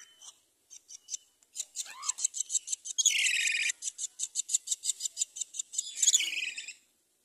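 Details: Common myna mother bringing rice to feed her chick: rapid, harsh, high chirps repeated about three times a second, broken by two longer hoarse, buzzy squawks that sweep downward.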